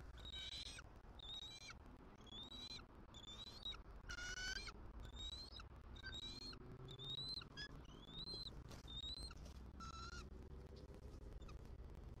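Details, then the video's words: Female bald eagle on a Southwest Florida nest calls for her mate to take over nest duty, and the male answers quickly. Live nest camera, 6 November 2023. A long series of high, thin, rising whistled chirps repeats about every second over a low rumbling background. "SWFL EAGLES ~ FEEL THE PEAL! 🪶 👑F23 CALLS OUT! 🦅📢 MR. MOM RESPONDS!"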